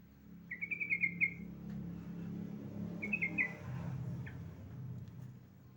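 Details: Female Javan myna calling to a male: a rapid run of sharp, chattering notes lasting about a second, then a shorter burst a few seconds later, over a steady low hum.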